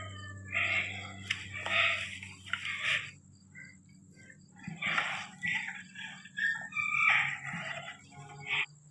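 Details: Ringneck parrots, three of them, playing in a home courtyard with raspy, screechy chatter and short talking-like squawks in uneven bursts over a constant low hum and thin high tone.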